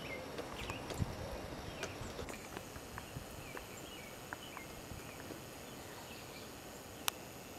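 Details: A pileated woodpecker digging in an old stump on Watchung Mountain, Bridgewater, New Jersey, chips into wood with irregular, scattered knocks and sharp taps over steady outdoor hiss and faint chirps of other birds.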